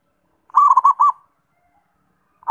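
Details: Zebra dove giving a quick burst of four or five bubbling, rolling coos, a brief pause, and then the start of another phrase.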